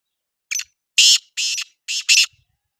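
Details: Black francolin, locally kala teetar, giving its call: one short clipped note, then four loud, harsh, grating notes, the last two nearly joined, all within two seconds against silence.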